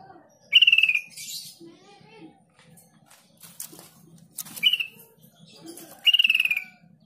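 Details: Sooty-headed bulbul lure to make mute newly caught birds answer: three short, rapidly pulsed phrases, each starting high and easing downward, spaced a few seconds apart among assorted chirps and a low hum.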